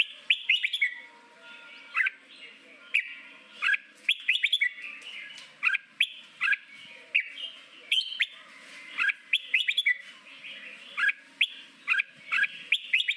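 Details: Red-whiskered bulbul singing in the wild 'forest voice' style, used to train newly caught birds for singing contests: short bright whistled phrases of two or three quick notes, repeated about every second with brief gaps, over faint low hum.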